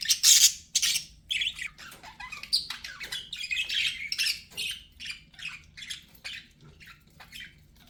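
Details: Pet budgerigar chattering steadily: an unbroken run of quick, scratchy chirps and squeaky notes, loudest at the start and gradually softening over several seconds.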